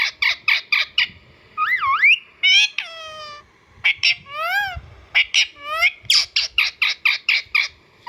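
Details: Indian ringneck parakeet alternates rapid bursts of harsh chattering notes with wavering whistled calls and a falling, drawn-out screech.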